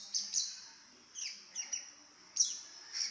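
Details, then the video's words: Baby lovebird, kept as a pet and very chatty: high, thin squeaky chirps in short bursts with brief gaps, some notes sliding downward, over a steady high-pitched hiss. "Baby love bird bawel banget"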